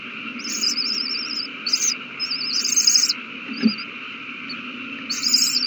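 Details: Owl chicks at a big meal, 27 March 2020. Short hissing screeches mix with wavering, trilled notes, then a gap with a soft thump before another screech at the end, over a continuous hum.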